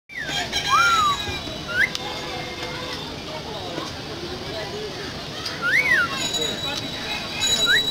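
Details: A myna (shalik, a bird living close to people) gives clear whistled notes that rise and fall in short arcs, spaced a few seconds apart, over a steady murmur of voices and background noise.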